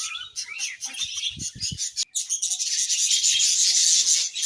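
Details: Budgies of a happy colony chirping, with scratchy high chatter, a few low knocks early on, then a loud sustained stream of overlapping warbles.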